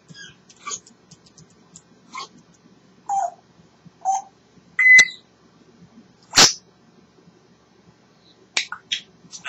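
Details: Pet African grey parrot chattering contentedly: scattered short clicks, soft mumbled notes, a sharp rising whistle near the middle, a loud broadband snap, then brief high chirps, with faint background hum.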